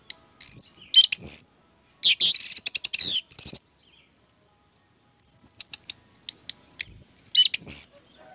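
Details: Orange-headed thrush singing steadily, a recording to encourage other birds to sing: two dense bursts of high, tumbling, varied whistles and twitters, a few seconds' silence, then further sharp, slurred phrases.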